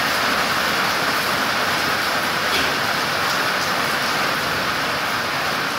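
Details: Heavy rain makes a dense, even hiss from start to end, with no bird or other animal voice standing out.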